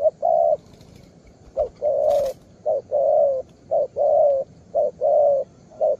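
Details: Young spotted dove calling vigorously with its full song: low, mellow coos in repeated phrases, each a short note followed by a longer drawn-out coo, about five phrases in six seconds.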